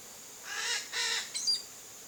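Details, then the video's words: Chestnut-eared aracari visiting a backyard in Brazil's Cerrado biome: two harsh, raspy, buzzy notes in quick succession, each with rich harmonics, followed by a brief thin chirp over a steady high insect hiss. "O Canto do Araçari-Castanho Bisbilhotando no Quintal"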